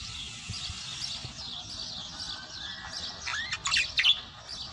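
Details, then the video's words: A budgerigar's chattering warble of scratchy, rapid chirps and short whistled rising notes, growing louder near the end. "تغريدة طائر البادجي"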